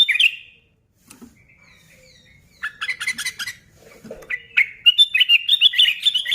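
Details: Sooty-headed bulbul in lively song, played to provoke other bulbuls into singing: bright chirped notes, a pause, a rapid run of repeated sharp chips, then a rising series of bubbly, whistled notes in a quick rhythm.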